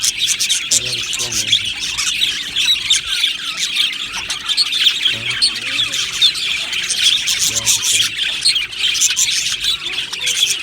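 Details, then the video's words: Budgerigar colony chattering in an aviary. Constant high twittering and squawks fill the background, while lower, nasal, voice-like warbles break through at a few points among the busy chirping. "Budgie Sounds for lonely Budgies | Happy Budgies Birds Sounds | birds Chirping Sounds"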